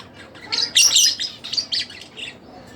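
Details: Split blue Fischer's lovebird giving a short burst of harsh, buzzy chirps, loudest in the middle and fading into quieter scratchy notes, in a quiet indoor setting.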